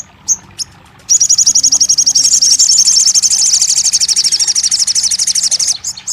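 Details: Crested jay, used to prompt a silent bird to sing: two short high notes, then a sustained, very rapid, buzzy rattle that runs for about five seconds before fading.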